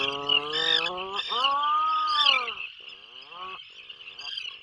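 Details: Atlantic puffin in a breeding burrow 21 miles off the Maine coast during the 2024 season, giving two long, low, moaning groans of about a second each, then softer fading notes, over a steady high-pitched hiss.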